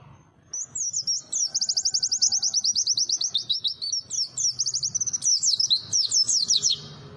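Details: White-eye in song: a long, rapid, high-pitched twittering run of sharp repeated notes, about a dozen per second, sustained for six seconds with brief changes of pattern, over a faint low background rumble.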